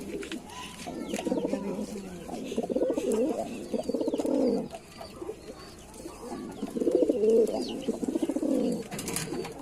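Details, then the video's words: Lalsara pigeon producing long, dense bouts of low, rapidly pulsing, throaty cooing, two main bursts with a brief lull between, and faint clicks behind. "Pigeon Sound Full High Quality Performance Voice | Pigeon Sound effects Lalsara Pigeon"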